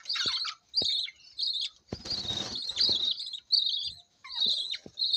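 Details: Budgerigar chicks, five babies in one nest, give high, raspy begging chirps in quick repeated bursts while their parents feed them.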